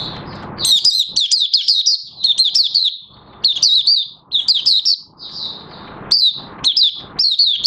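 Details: Oriental white-eye called Mata Puteh Raja, singing on 30 August 2022 as new white plumage completes pigmentation; a long, energetic series of fast, high twittering phrases with brief breaks between them.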